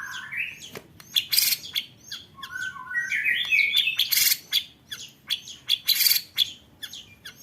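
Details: Rapid 'roll tembak' song of a white-rumped shama used to train contest birds: a rising slurred whistle, then a long climbing trill, with sharp high bursts and quick chips repeated through the phrase.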